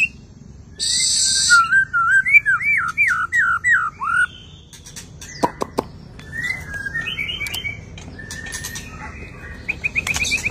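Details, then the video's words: White-rumped shama after moulting, singing a fast run of rising and falling whistled notes, then quieter scattered chirps and short trills after a pause, over a low background hum. "Beginilah Kicauan Murai Batu Sehabis Mabung, Auto Bongkar Isian...!!!"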